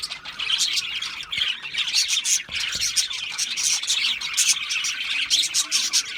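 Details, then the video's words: Budgies chatter energetically, with loud bursts of harsh squawks and rapid chirps over a steady, high twittering background, coming in pulses every second or so. "Natural Parakeet Singing Birds | Parrots Chirping sounds"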